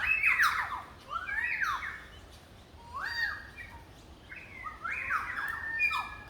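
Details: A currawong on the Gold Coast, among hibiscus, gives loud, ringing, slurred squawks in several bursts, with notes sweeping down and then up again, over a soft outdoor hiss.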